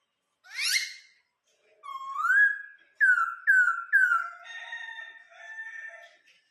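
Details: Caged laughingthrush from Vietnam in song: a harsh burst, a rising whistle, three quick falling whistled notes, then a warbling, buzzy run of lower and higher tones.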